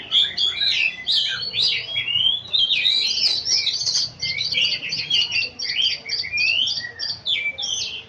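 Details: Oriental magpie-robin singing melodiously: a rich, continuous run of varied whistles, trills and sharp chirps, with fast rising and falling phrases and almost no pauses. Faint low hum underneath.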